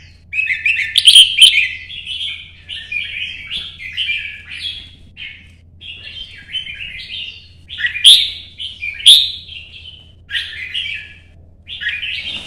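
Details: Chào mào, the red-whiskered bulbul, in competition singing, 'chạy cầu' early-morning solo: extended stream of fluty chattering phrases over twelve seconds, several louder bursts with clicks, steady low hum in the background.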